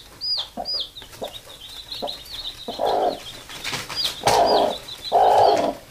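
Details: Mother hen calling her chicks to sleep; loud, low throaty clucks grow longer toward the end, over steady high peeping from the baby chicks and some rustling.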